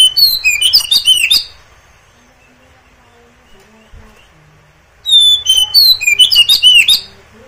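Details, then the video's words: Oriental magpie-robin (kacer) song used to spur other kacer into answering, singing and tail-fanning: two loud bursts of high whistles, rapid slurred chirps and crisp clicks, separated by about four seconds of near silence. "kacer anda ikut nyaut gacor dan buka ekor"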